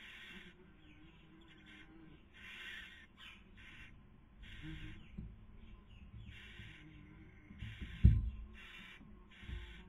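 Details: Barn owl pair nesting in Cabañeros National Park, Castilla-La Mancha, Spain, 2020 breeding season, female feeding as the male tries to sleep; repeated rough hissing screeches with brief scratchy notes between, and a loud bump near the end.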